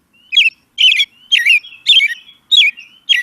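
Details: American Robin song played back, a thrush said to have two vocal cords working at once for a fluty sound: clear warbled phrases of two to three notes, repeated about every half second, with soft thin whistles between.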